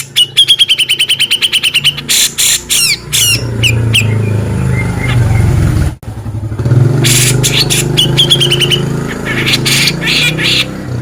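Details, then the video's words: Male Grey-cheeked Bulbul (cucak jenggot) singing in the sharp, harsh 'beset ngepik' style, used for training contest birds: rapid repeated high notes and rasping bursts, with a loud low engine rumble through the middle. "Cucak Jenggot Gacor Mewah Beset Ngepik"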